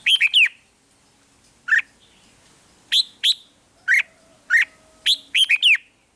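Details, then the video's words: Red-whiskered bulbul song recorded in Thailand and played to excite caged birds; quick bubbling phrases and single sharp chirps scattered through, roughly one every half second to second. "เสียงนกกรงหัวจุก ร้อง ริก เปิดให้นกฟัง ยั่วให้นกคึกจัด"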